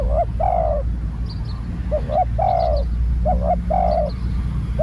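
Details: A new spotted dove being trained coos steadily, phrases of a short two-part note and a longer hoarse coo following one another about every second and a half, over low rumbling background and faint twittering.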